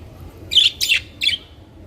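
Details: Budgerigars, colorful captive parrots, give three quick harsh chirps within about a second, the middle one buzzier and sliding downward.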